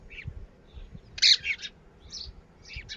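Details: Red-wattled lapwing chicks, locally called Titehari or Titodi, giving short high chirps, with one louder burst of rapid piping in the middle and brief squeaky notes before and after.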